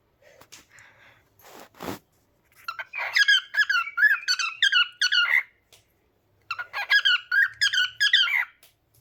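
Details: Indoor pet cockatiel with a sharp click and a squawk, then two bouts of rapid, wavering whistled chirps, roughly two or three per second, separated by a brief pause, in a quiet small room.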